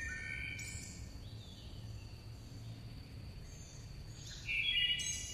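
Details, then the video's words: Singing chickadees give clear, high whistled notes with some thin, overlapping chirps, ending in a louder bright phrase, over a steady low background rumble. "Singing Chickadees Sound"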